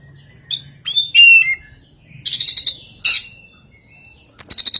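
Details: Oriental magpie-robin singing a strange song with very rare fill-in phrases: high sliding whistles, a falling whistled note, then bursts of rapid buzzy trilled notes between pauses.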